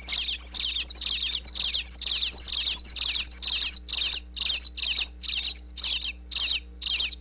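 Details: Bluebird nestlings inside a birdhouse in Pennsylvania chirping as parents arrive with food, recorded close up by a wireless microphone in the box: dense, rapid bursts of high, scratchy chirps, about two per second, with a steady low hum beneath.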